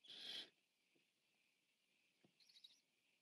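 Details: Biggest Barn Owl owlet eating at a camera-watched nest, 14 September 2015: a single short rasping hiss at the start, then quiet shuffling and a faint, higher chittering near the end.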